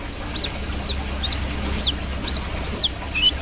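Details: Brown-throated sunbird singing vigorously (gacor): loud, thin, high, downslurred chirps repeated evenly about every half second, seven in a row, over low hum.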